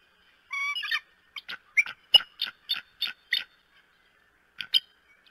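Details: Bald eagle on the nest at Decorah, Iowa, during April snow: a series of short high chittering notes, a brief harmonic whistle then about eight sharp repeated chirps, and a final pair after a pause.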